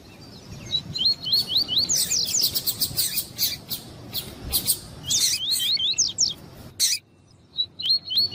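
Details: Double-collared seedeater, male and female, the female calling to excite the male, for breeders in tournaments: rising whistled phrases tangled with rapid buzzy chips, a pause, then a final short whistled phrase.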